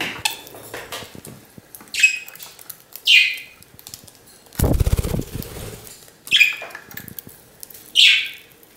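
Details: Pet budgerigar at home uttering short, scratchy, upward-sweeping chirps roughly every second or two, interrupted midway by a rapid rattling burst of clicks, possibly wings or cage sounds.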